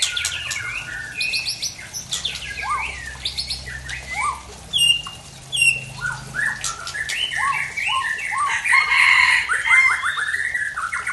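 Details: Oriental magpie-robin from Aceh, singing an unusual varied repertoire; rich whistled and warbled phrases with rising and falling notes, sharp high chips, continuous varied delivery over steady low background hum.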